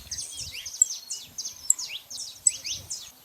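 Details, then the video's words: Saffron finches, wild and free in nature, gathered in a flock: dense overlapping chirps and quick downslurred high notes, many birds calling at once in steady bursts, with faint low rumbling beneath. "festa dos canário da terra livre na natureza"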